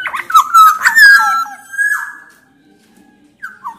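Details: Loud black-naped oriole from Sumbawa, with Javan orioles of both sexes, singing to prompt other orioles; a strong burst of bright, looping whistles that fades into a long, level tone, then a short slurred note.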